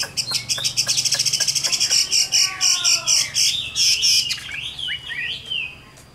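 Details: Caged wild-caught adult Chinese hwamei of the Tam Hoàng type from Vietnam, praised for a fine voice: a rapid run of sharp repeated notes about four per second, then slurred whistles sweeping up and down.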